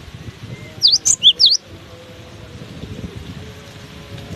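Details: Cinereous tit singing through strong gusts: one short burst of four quick, high, sweeping whistled notes, then only the steady low roar of wind.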